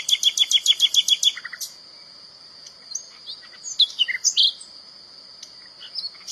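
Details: Common nightingale in nature, singing to define its territory or court females: opens with a rapid series of loud repeated clicking notes, then sparse whistled phrases above a constant thin, high whine.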